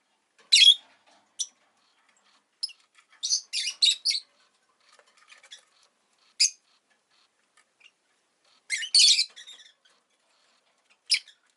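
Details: Rosy-faced lovebird chirping in scattered sharp, shrill bursts, some in quick clusters of three or four notes, with loud calls near the start and around nine seconds, separated by short quiet gaps.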